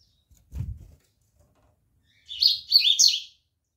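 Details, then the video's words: A seedeater (coleiro) from a breeder's birds gives a rapid twittering phrase of chirps run together, about a second long, after one dull knock; otherwise quiet. "seu COLEIRA naõ ESTA cantando"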